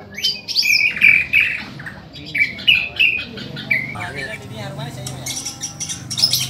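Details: Captive young male white-rumped shama set against captive-bred birds, repeating bright whistled notes about every second, then scattered chips and high twitters while a man talks quietly behind.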